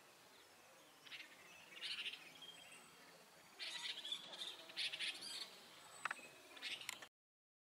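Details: A group of Himalayan bulbuls perched on a wire by a roadside with abundant greenery, between Sarahan and Shimla, Himachal Pradesh, around 12:40 pm on 8 May 2014, giving bright chattering bursts of short notes against a faint steady hiss.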